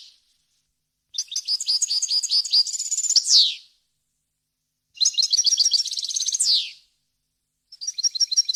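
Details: European goldfinch singing wild-style varied phrases meant for tutoring chicks; two long bursts of rapid liquid twittering each closing with a falling buzzy note, separated by silence, a third phrase beginning.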